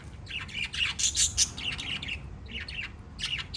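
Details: Five pet lovebirds chattering in rapid overlapping squeaky chirps, high and scratchy, forming a near-continuous twittering run with a brief pause before a final burst.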